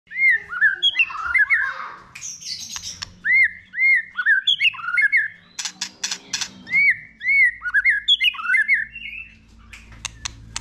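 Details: White-rumped shama song for rousing a newly caught bird to sing: loud clear whistled arched notes near mid-high pitch, repeated in quick groups with bubbly phrases, sharp ticks and clicks between them.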